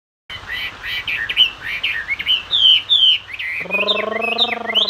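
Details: Chinese hwamei singing in the style called hót xòe: rich, loud whistled phrases with quick slurred notes rising and falling, then a steady low droning, buzzy sound with stacked tones enters under the last second of song.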